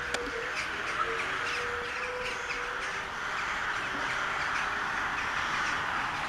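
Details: Crows calling at a gathering described as a crow wedding in Sevastopol, recorded on a Toshiba Camileo P30; a few harsh caws rise briefly over a steady broad hiss of background noise.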